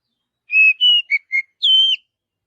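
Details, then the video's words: Short song from an Oriental magpie-robin in a forest: two level whistles, two brief lower notes, then a longer bright whistle, in a quiet setting. "Kicauan Kacer Alami Di Hutan"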